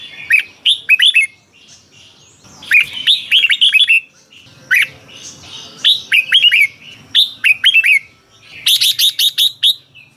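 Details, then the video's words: Thai Red-whiskered bulbul in a cage, song for exciting other caged birds: bouncy phrases of quick slurred whistles repeated every second or two, closing with a rapid string of buzzy chips. "เสียงนกกรงหัวจุก สำหรับต่อ หรือ เปิดให้นกคึก เสียงเพราะๆ"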